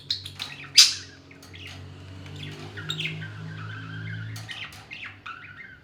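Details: Parrot pair in a cute quarrel: one loud harsh screech early, then scattered softer chirps and rising squawks over a noticeable low droning hum.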